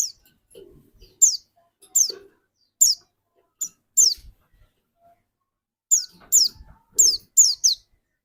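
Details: Dakun white-eye in lively voice, kept as a lure to spur other white-eyes into song: single thin, high, downward-slurred chirps spaced about a second apart, then a quicker cluster of five near the end, with faint low background thumps.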